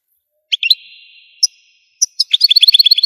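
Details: Algerian goldfinch singing: bright short notes, a held thin whistle, then a quick run of liquid twittering notes repeated in rapid succession.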